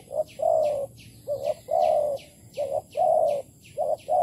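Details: Spotted dove cooing in Malaysia, 11 August 2020, during decoy trapping; repeated phrases of a short coo then a long, trembling coo, almost back to back, over regular high, sweeping chirps from another caller.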